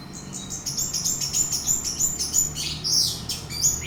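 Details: Lure song of an orange-headed thrush meant to set another bird singing: a long sequence of rapid high chirps and whistles, ending in sweeping, rising and falling notes.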